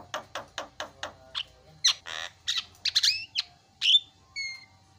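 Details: Starling heard as a calling lure for other birds. A quick series of even clipped notes gives way to harsh rasps, buzzy squeals and twanging slurs, ending in a clear whistled note.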